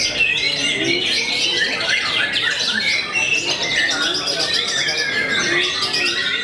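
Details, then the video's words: White-rumped shama, famous for making its rivals fall quiet, delivering an energetic run of clear whistles, buzzy trills and quick repeated chips, sung without a break at high volume. "MURAI YANG TERKENAL BIKIN NGLOWO BANYAK MUSUHNYA"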